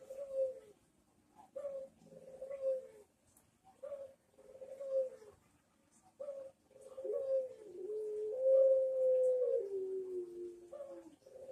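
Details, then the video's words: Barbary dove (puter) in full manggung cooing, a master recording for training other doves: soft low coos in short bursts roughly every second, then a longer drawn-out coo near the end, in a quiet room. "MASTERAN PUTER MANGGUNG GACOR - Suara Merdu Bikin yang lain ikut nyaut !!"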